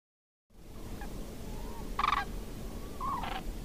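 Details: Common crane (Grus grus) in Córdoba gives two short, rolling trumpeted calls about a second apart, over a steady low rumble of background noise.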